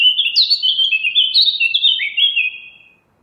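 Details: Eurasian blackcap (Sylvia atricapilla) sings a rapid, rich warble of varied fluty notes that rise and fall for nearly three seconds, then fade, with no other sounds.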